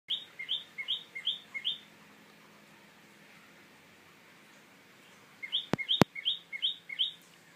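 A tailorbird gives two fast bursts of five sharp, high two-note chirps, each pair dropping then jumping up, with a pause between. Two sharp clicks interrupt the second burst.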